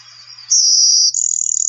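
Blue-winged Warbler giving its two-part buzzy type 1 song: a thin, very high, insect-like buzz, then a second high buzz with a rougher, pulsing texture.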